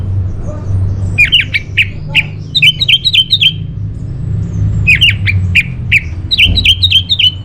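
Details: Orange-headed thrush song used to trigger and tutor caged birds: quick sharp chipping notes in rapid runs, repeated in two bursts separated by a short pause, over low background hum.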